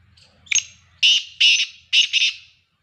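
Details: Black francolin giving its grating call: a short opening note, a pause, then three loud, harsh, buzzy rasping notes in quick succession, the last one split in two, over an otherwise quiet background.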